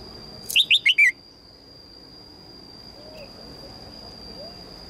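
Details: Calling female red-whiskered bulbul, seeking a strong mate: one quick series of four clear, descending chirps at the start, followed by near silence with a faint steady whine and a few soft distant notes.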